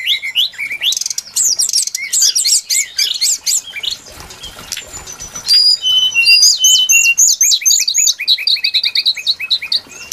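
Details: Brown-chested jungle flycatcher trapping-lure recording: a dense twittering opening, then a quieter stretch, then a steady series of short, high whistled notes repeated in quick succession.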